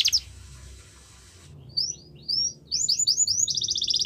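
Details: Yorkshire canary training song; after a short buzzy burst and a pause, soft scattered high slurred notes build into quick repeated sweeps and a fast trill, with low background noise.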